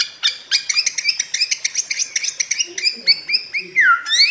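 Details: Bare-throated whistler (Pachycephala nudigula), a Flores endemic, song used as a lure and master recording: a rapid run of ringing clipped notes, about eight a second, then slower clear whistles and a final sweeping slurred note.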